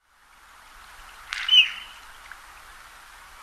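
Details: A Mallard in Pennsylvania gives one brief display call, a short rough burst joined to a thin high whistle, over a steady background hiss.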